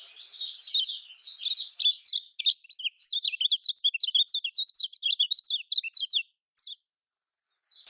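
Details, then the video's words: High-pitched, dense chattering song of a Lemon-bellied white-eye in Lombok style, meant to stimulate quiet caged white-eyes: a long run of rapid zigzag chirps that breaks off, with one last note. "Ini Yang Di Pakai Kicaumania Untuk Kecial Kuning Males Berkicau"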